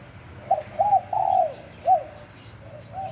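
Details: Spotted dove heard in the wild at Bang Bai Mai, Surat Thani, Thailand. A quick short coo, an arched note, a long drawn-out falling coo and a final rounded note, with softer cooing trailing at the end.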